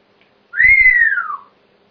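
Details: Pet grey parrot indoors, recorded 26 November 2007, giving a single clear whistle that rises slightly, holds, then slides smoothly downward over about one second, with soft thumps beneath.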